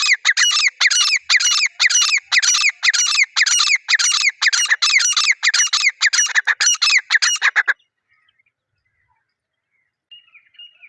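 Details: Partridge (teetar) in the wild jungle giving a loud, rapid series of harsh, grating squawks, about two per second for nearly eight seconds, then breaking off into near silence with a few faint chirps.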